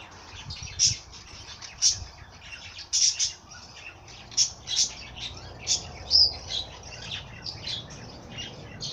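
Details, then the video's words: Birds singing, with loud, sharp high chirps standing out about once a second over a softer background of continuous twittering from other birds. "Bird sing song madár ének"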